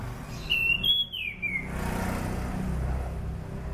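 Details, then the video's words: Whistled descending phrase of an anis cendana thrush, a recording meant as a lure for training birds, followed by a steady low background hum. "SUARA ASLI ANIS CENDANA ..COCOK UTK PANCINGAN AM,AK DAN AC"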